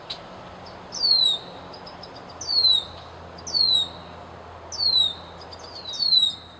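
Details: Red-winged blackbird from the wild of Canada, giving a high, descending whistled call, a downward slurred note with thin upper overtones, repeated about every 1.2 seconds, five times, over a quiet background with a low steady hum.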